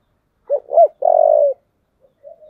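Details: Single phrase of a spotted dove's 'giọng thổ' fight-provoking call: two short, upward-hooked notes, then one loud, sustained, evenly pitched coo, and a faint soft note after a pause.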